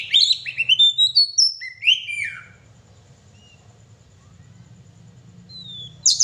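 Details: Kacer (oriental magpie-robin) in lively gacor song: quick series of bright whistled, downward-slurring notes for about two seconds, then near silence with a low hum and a single thin whistle at the end.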